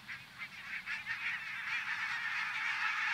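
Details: Thousands of migrating barnacle geese from the Arctic, halted in central Finland; a few distinct rhythmic honks open, quickly merging into a loud, dense clamour of overlapping yelps that grows stronger.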